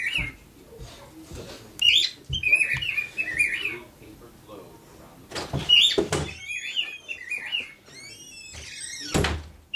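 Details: Pet male cockatiel singing indoors beside a female: short whistled, warbling phrases rising and falling, broken by pauses, with clicks, knocks and household noises around them.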